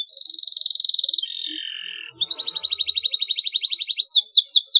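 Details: Canary chirping meant to prompt young canaries to sing: a fast pulsed high trill, a lower warbled roll, then another long steady pulsed trill ending in quick down-slurred notes.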